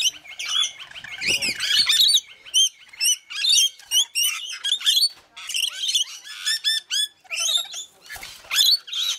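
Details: Rainbow lorikeets feeding in a frenzy at Mount Tamborine, Queensland, Australia, giving a dense chorus of shrill, scratchy chirps and screeches from several birds, with a brief handling thud early and another near the end.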